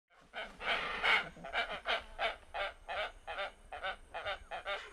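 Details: Hoatzin (Opisthocomus hoazin) at Thaimaçu Lodge, Brazil, giving hoarse, wheezy croaks, about two or three per second in an uneven series, with faint low background rumble.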